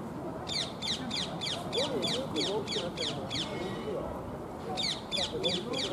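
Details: Feral rose-ringed parakeets at Sōja Shrine, Maebashi, Japan, apparently a pair, giving a fast series of harsh, grating squawks, about three a second, in two bursts, with people talking in the background.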